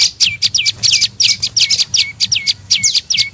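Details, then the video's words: Prenjak lumut tailorbird call played as a lure for birds: rapid high chirps, each sweeping downward into a short flat lower tail, repeated about three times a second. "SUARA PIKAT BURUNG PRENJAK LUMUT PALING AMPUH"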